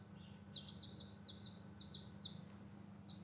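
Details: Newborn chicks outdoors at play, uttering bright falling peeps in quick runs that thin out toward the end, over a faint low background hum.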